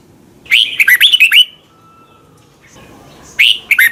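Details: Song of a Red-whiskered bulbul from Thailand, used to teach young birds to copy it: a fast string of clear, dropping whistled notes lasting about a second, a quiet gap, then a fresh phrase begins.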